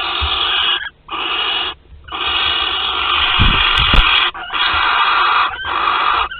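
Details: Nesting barn owls in Théding, France, 25 April 2021, with the male present: long continuous raspy hisses lasting up to two seconds, broken by short pauses, plus a few low knocks.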